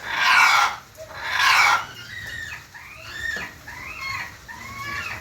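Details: Red junglefowl in Java giving two loud, rough calls about a second apart, followed by a series of softer, sliding whistled notes from other birds.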